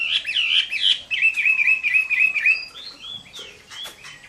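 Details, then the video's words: Chinese hwamei giving a fighting song at midday in summer: a rapid run of loud, rich whistled phrases, slurred up and down, then a steady trilled stretch and a few sharper, higher notes near the end. "HỌA MI CHIẾN HÓT TRƯA HÈ"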